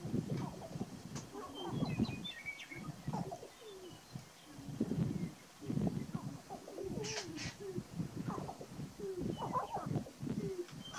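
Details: Several male sharp-tailed grouse on a lek in Burwell, Nebraska, on 29 March 2018 give low, overlapping coos, clucks and whining hoots in irregular bursts, with a brief dry rattle and faint chirps from small birds.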